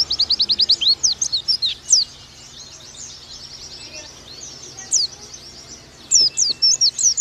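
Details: Oriental white-eye, a Bakalan type, giving quick bursts of high, thin, sweeping whistled notes in rapid series, with a quieter gap of faint twittering in the middle before the fast phrases resume.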